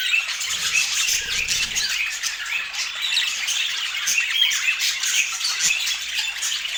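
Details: Pet budgerigars eating and chirping: a thick layer of high, scratchy chatter that never pauses, plus faint low rustling near the start.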